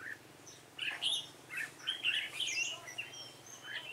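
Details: Red-whiskered bulbul, yếm đậm type, being trapped with a decoy bird on 28 February 2017: lively, overlapping chirps and slurred whistled notes running almost continuously, over a low hum.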